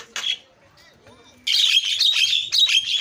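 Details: Starling lure calls meant to make other birds cry out: one short harsh squawk, a quiet stretch, then a continuous loud, grating scratchy chatter to the end.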